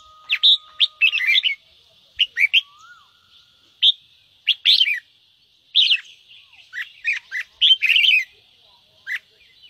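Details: Red-whiskered bulbul song used as a lure to make other bulbuls sing, giving short bursts of bright, chattering, warbled notes in irregular clusters, with a faint steady high hum behind.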